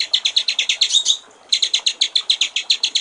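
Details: A white-rumped shama delivers water-trickle style (gericik air) song: a steady series of high, crisp notes, about seven per second, a short slurred whistle, a brief gap, then the same rapid chipping resumes.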